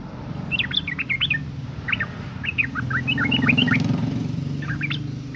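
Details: Female sooty-headed bulbul in breeding condition, her voice used to lure males to sing. Phrases of bubbly, rising and falling whistled notes over a steady engine-like rumble of passing traffic.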